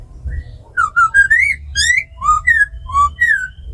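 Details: Black laughingthrush, tame, in wild-style song with a female laughingthrush's ro khẹt, for rousing wild-caught birds. Quick series of clear slurred whistles, rising and falling, about eight notes in under three seconds.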